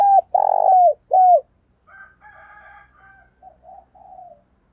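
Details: Spotted dove used as a decoy, calling to provoke rivals: three loud, hoarse coos, the middle one longest and buzzy, followed by a fainter series of softer, gurgling coo notes trailing off.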